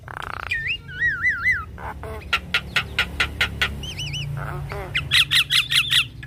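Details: Masteran and pancingan of the Javan myna, meant to get captive birds singing: a buzzy note, rolling warbled whistles, crisp repeated clicks, another wavering whistle, then a fast harsh chatter of six notes.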